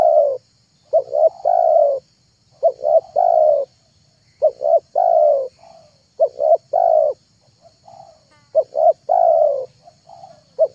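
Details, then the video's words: Spotted dove calling for luring wild birds: low cooing phrases repeated steadily, each a quick double coo then a sustained descending coo, with soft fainter notes between phrases and a quiet background hum. "MP3 TEKUKUR PIKAT"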